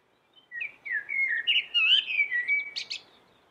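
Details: Common blackbird delivering one continuous phrase of melodious whistled notes, gliding up and down, that ends with two sharp, high squeaky twitters.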